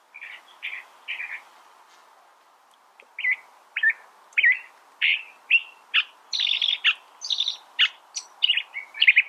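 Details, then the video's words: California thrasher singing a varied string of short phrases, some harsh and chattering, some clearer and whistled, delivered in quick succession with brief pauses; a short gap near the start, then steadier phrasing. "California Thrasher Bird Sound"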